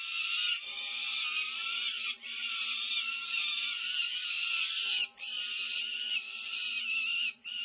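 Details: Peregrine falcon chicks over five weeks old, recorded on a nest camera at UC Berkeley on 18 May 2023 during a feeding frenzy. A loud, continuous rasping scream holds for several seconds, breaking twice for a brief breath.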